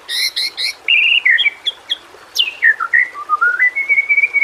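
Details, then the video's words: White-rumped shama (murai batu) song used as training audio to coax quiet shamas into singing: rapid chirps, then varied whistled notes sliding down and up, ending in a steady repeated whistle. "masteran burung murai. mewah awas! kesurupan"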